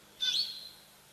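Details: Brown-headed parrot at a quiet African live-cam waterhole where giraffes drink: a single shrill, screechy call that rises then trails off in a thin whistle, about a quarter-second of harsh sound over faint background hiss.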